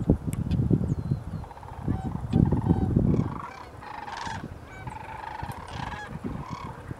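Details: Sandhill cranes on a foggy October morning at Woodbridge Ecological Reserve, California, in 2011. Heavy low rumbling noise dominates at first, then rolling, trumpeting crane calls come through more clearly.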